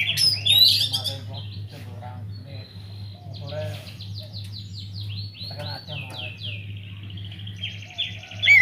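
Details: Oriental magpie-robin in an aviary, singing energetically as a lure for other songbirds: softer, more distant strings of falling whistled notes and short trills, a brief louder burst at the start and end, over a low hum.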